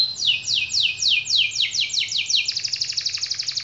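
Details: Canary song meant to stimulate quiet canaries into singing: a series of high descending sweeps repeated about four times a second, shifting into a fast rolling trill.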